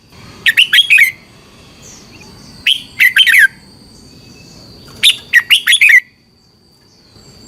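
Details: Red-whiskered bulbul, a caged bird of Thailand, sings a training song for other birds: three bursts of four or five fast, liquid warbled notes, about two and a half seconds apart, with a thin steady background tone.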